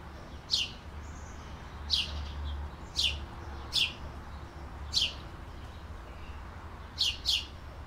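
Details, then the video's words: Canary chirping: single sharp, high tweets that sweep downward, spaced about one to one and a half seconds apart, one doubled chirp near the end, over a faint low background hum. "Canary Singing"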